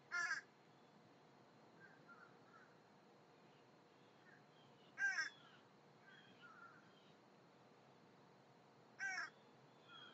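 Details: Young American crows learning alarm calls; three isolated harsh caws spaced about five seconds apart, with faint distant bird chirps in between over quiet background hiss.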